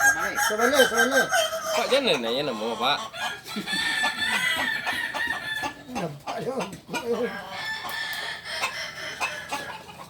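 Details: Kukuak Balenggek rooster crowing at a Sunday practice gathering in Ampangkualo. Long crows in wavering, stepped tiers rise and fall, with several overlapping crows in the first three seconds and another run near six seconds. A busy crowd and other noise sit underneath.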